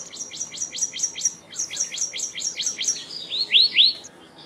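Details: Black-naped monarch uttering a steady string of short, sharp, high notes, then two louder upslurred whistles at the close.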